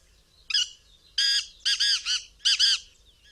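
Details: Black francolin calling several times: four harsh, grating, rasping bursts, each a buzzy multi-note phrase, the later ones doubled, spaced irregularly over about three seconds with a quiet background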